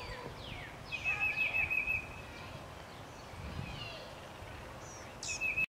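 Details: A nesting Blue-gray Gnatcatcher in Benbrook, Texas, on 5 April 2014 gives a quick run of thin, high, wheezy notes, then one more near the end, over a steady hiss of background noise.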